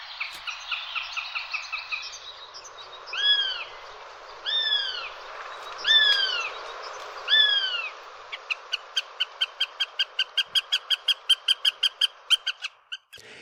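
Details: A Northern goshawk call, presented as a sound the Eurasian jay imitates: four loud, high, downslurred wailing notes about a second apart, then a fast, even kek-kek-kek chatter. Softer chirping comes first.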